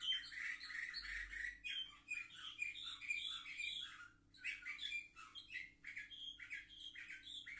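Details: Warbling song of seven-month-old canaries, recorded 10 November 2023: busy, overlapping chirps and trills run almost without a break, pausing only for a moment before the twittering picks up again.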